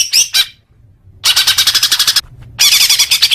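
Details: Greater green leafbird singing, used to prompt caged birds to sing: two sharp high notes, a silence, then two bursts of fast, harsh, rattling chatter.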